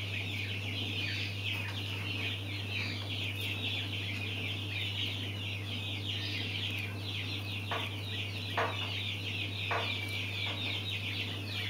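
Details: A brood of mountain quail chicks peeping nonstop in high, slurred chirps that overlap into a busy chatter. A few soft taps come near the end over a constant low hum.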